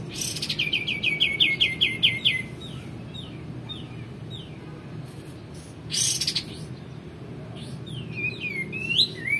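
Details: Male white-eared bulbul in full song, kept as a tutor for magpie robins and white-rumped shamas: quick chain of bright, slightly falling notes, then spaced single notes, a harsh burst and twisting, warbled phrases near the end.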